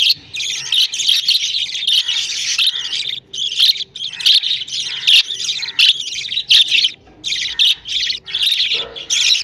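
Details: Four budgerigar chicks beg their mother for food, giving a near-continuous stream of raspy, chattering calls in short bursts; one chick is nearly ready to leave the nest.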